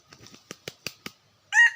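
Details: Red junglefowl rooster beats its wings in a rapid series of dull flaps, then launches into the start of a loud harmonic crow at the end.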